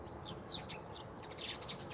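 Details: Eurasian tree sparrow (Passer montanus) at Bundek, Zagreb, Croatia, 9 March 2015, calling: short, bright chirps, a few spaced notes then a quicker burst of overlapping chirps, over a faint background hum.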